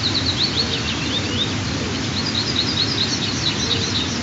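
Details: White-tailed eagle eaglets, 23 and 25 days old, give thin, high, squealing peeps in quick uneven runs over a steady rush of wind during the first nest feeding of the morning, on 15 June 2023 around 04:42–04:52.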